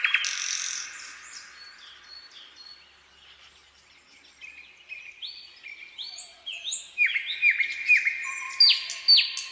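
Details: Singing nightingale: a loud rasping burst, a quiet pause, then a sequence of long pure whistles stepping up and down in pitch, growing louder and more rapid toward the end.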